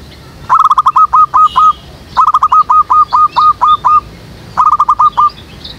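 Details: Zebra dove in a jackfruit tree behind a house, recorded during trapping with a lure: quick runs of clipped, slightly down-curled cooing notes, about seven to a run, in three runs over six seconds, over a faint hiss.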